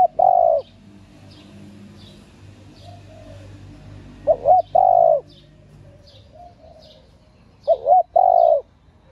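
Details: Female spotted dove calling to stimulate males: a series of low, hollow cooing phrases, each a brief wavering double note then a drawn-out coo, repeated roughly every three and a half seconds, with soft background chirps.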